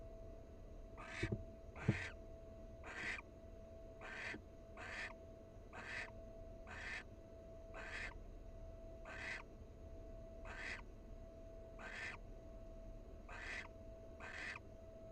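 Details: Wild male barn owl preening his mate's feathers at a nest box; a steady run of short, breathy hisses, about one each second.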